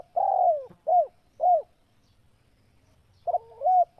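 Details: Spotted dove cooing: soft low hooting notes, a longer drawn-out coo then two shorter ones, a silent pause, and a final double coo, in a clean recording with no other sounds.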